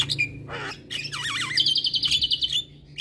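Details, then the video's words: Javan myna singing for training other mynas: a thin whistle, a harsh burst, then a wavy warbling phrase sliding into a rapid buzzy trill, with faint hum below. "Jalak Kebo Malas Bunyi Dan Jenis Burung Jalak Lainnya Cocok Di Kasi Masteran jalak Kebo Ini"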